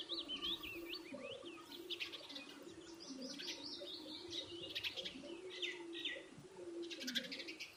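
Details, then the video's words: Birds chirping while eating food: a busy mix of short, sharp, high tweets and rising and falling chirps from several birds, over a steady low hum throughout. "bird chirping sound | birds chirping sound effect | birds eating food videos"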